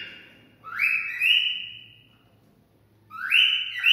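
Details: Cockatiel whistling to stimulate mating: clear whistles that swoop upward and hold a steady tone, a pair of long notes, a silence, then another rising whistle.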